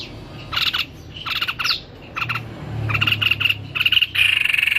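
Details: Lively song of a white-necked babbler: short, sharp, stuttered bursts of pulsed notes repeated about once a second, ending in a steady fast rattling trill.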